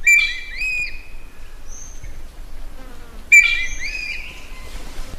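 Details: Wild common green magpie calling for a mate, giving two loud bursts: rich, ringing whistles that rise and hold steady, mixed with scratchy harsh notes, separated by a quieter stretch of faint sounds.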